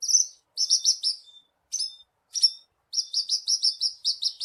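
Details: Horsfield's bush lark song used as a lure to get a captive bird singing: clusters of quick sharp buzzy notes with thin whistled trailing tones, then a fast rhythmic series at the end.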